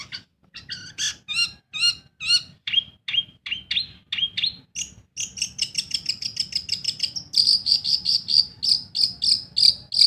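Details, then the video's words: Long-tailed shrike, a kept bird, singing in full voice as a lure to prompt silent birds to sing. Varied high chirps and harmonic notes come in quick bursts, then a fast run of sharp repeated notes, about three per second. "SUARA PENTET GACOR. BUAT PANCINGAN burung MANDEG BUNYi"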